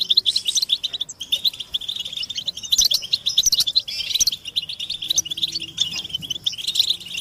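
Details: Several European goldfinches chirping together, mating and readiness calls played to rouse silent captive males into song; rapid, bright overlapping twitters run almost unbroken, with brief lulls near one and three seconds.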